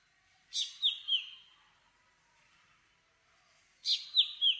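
Black Drongo gives two short phrases about three seconds apart. Each is a harsh, rasping note followed by two quick, bright metallic whistles, against a quiet background.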